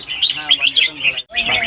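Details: Caged red-whiskered bulbuls at a singing competition on a field in Ban Khao Din, Chonburi, Thailand: bright, rapid chirping phrases in quick bursts, several birds overlapping, with a short pause near the end.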